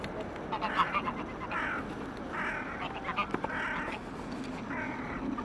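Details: Lone hooded crow among waterbirds by the Elbe in Pirna, uttering five hoarse, drawn-out caws spaced about a second apart over a noisy riverside background.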